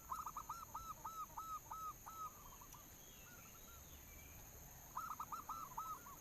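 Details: Local zebra dove used as a singing lure: a fast string of about eight hollow, evenly spaced coo notes slows and fades, then after a pause a fresh run of coos begins, over a steady high hum.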